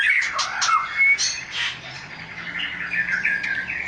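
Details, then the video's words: Oriental magpie-robin giving a continuous mid-pitched warbling song with slurred whistles and quick trills, steady in loudness throughout, with a faint low hum behind. "Burung kacer"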